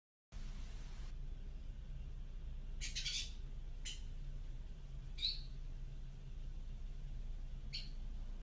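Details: A pet Dusky Indigobird's morning song: four short, scratchy, squawking notes, one a sharp rising chirp, spaced a second or two apart over a steady low hum.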